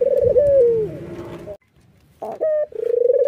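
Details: White Barbary dove, red-eyed, laughing while nodding: a falling rolled coo, a short quiet gap, then a clipped level note leading into a fresh rapid trill.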